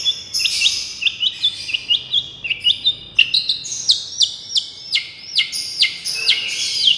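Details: Long-tailed shrike's 'miyik' therapy song: rapid series of short, rising whistled notes and sharp chips, roughly three per second, shifting in pitch from phrase to phrase.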